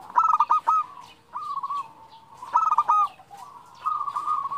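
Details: Zebra dove female calling to attract a male: loud bursts of clipped, rapid-fire cooing recur roughly every one and a half seconds, separated by softer level coos from several overlapping birds.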